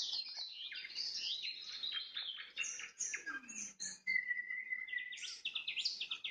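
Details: Evening nightingale singing: dense high trills and whistles, a long level whistle after a brief pause, then quick repeated notes at the close.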